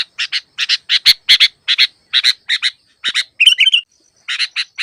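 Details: Sooty-headed bulbul recording meant as a trapping lure and as a training track for lure birds that rarely sing: harsh, buzzy paired chatter notes in rapid bursts, with one short whistled warbling phrase near the end, clean background.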